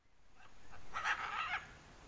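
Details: Blue-and-yellow macaw, shown playing with others of its kind, gives a short burst of harsh, raspy squawks lasting about half a second after two faint earlier notes.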